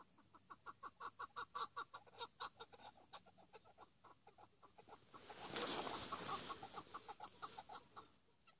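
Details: Chukar partridge giving a long, evenly paced series of sharp chuckling notes, roughly two to three per second, while a loud rushing burst of wind or handling noise swells and fades midway.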